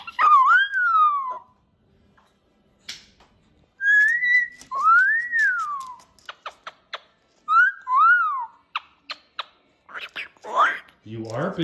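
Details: Pet cockatoo indoors whistling a little tune: smooth rising-and-falling whistled phrases repeated several times, interspersed with short clicks and a few harsher squawky notes at the end.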